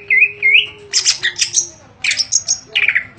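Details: Caged greater green leafbird kept for songbird contests, in daily 'ngentrok' form and ready to compete, its song full of 'isian' fill-ins. Two rising whistles open, then bursts of high, buzzy, chattering notes with sharp slurs, and a faint steady low hum behind.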